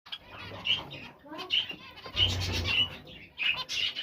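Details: Zebra finch giving short, nasal, trumpet-like notes, each brief and rich in overtones, repeated at uneven intervals roughly once a second over a low steady hum.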